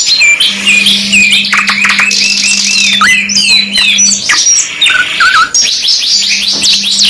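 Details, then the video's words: A luxury canary ('kenari mewah') in a 2 in 1 master recording sings long, varied phrases of fast trills, sweeping whistles and chirps, closing with a run of quick repeated notes, over an intermittent low hum. "MASTERAN 2 IN 1 KENARI MEWAH | CANARY SINGING"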